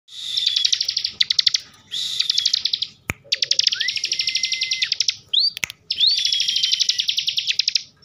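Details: Caged bar-winged prinia (ciblek) from Slawi, Tegal, Central Java, singing in the excited "ngebren" style: long buzzy high trills with rapid clicking pulses and thin whistled slurs, in bursts of one to two seconds with brief gaps.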